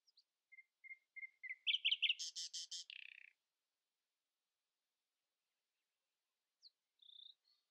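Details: Common nightingale at dawn, outsinging others: soft low whistles that speed up into a loud, harsh, buzzing rattle lasting about two seconds, then silence and a faint chirp with a brief high note.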